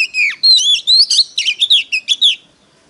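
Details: A decoy Oriental magpie-robin sings competitively, a rich, fast run of clear whistles and slurred notes, about eight phrases in under three seconds, high-pitched and loud.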